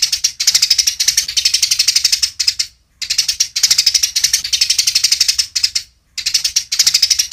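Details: Eurasian tree sparrows in a fighting-style master recording with clear pauses: dense, rapid, high chirping chatter in bursts of about two and a half seconds, separated by brief silent pauses.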